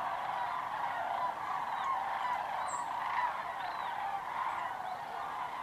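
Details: Sandhill cranes in a migrating flock wheeling low and close overhead on their route south across Georgia and Tennessee toward wintering grounds. Many rolling, trumpeting calls overlap into a continuous chorus with no gaps.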